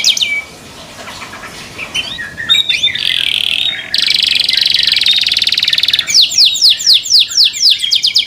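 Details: Canary song that makes other canaries join in: soft chirps, a long buzzing trill, then a run of loud downward-swept whistled notes repeated rapidly.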